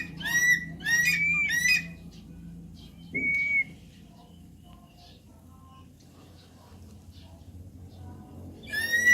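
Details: Javan pond heron, Ardeola speciosa, giving harsh, rising squawks: three loud strained calls close together, a single shorter one after a pause, then another at the end, separated by quiet stretches.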